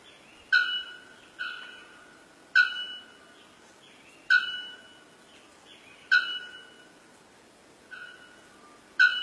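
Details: Bare-throated bellbird in Paraguay giving loud, metallic, bell-like clangs, each ringing briefly and then fading, repeated about every one to two seconds, some louder than others.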